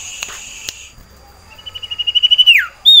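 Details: Sirtu, a common iora kept in a cage and in breeding condition, sings for a mate: after two faint steady tones, an accelerating trilled whistle holds level, then drops in a quick downward slur, followed by a clear whistle.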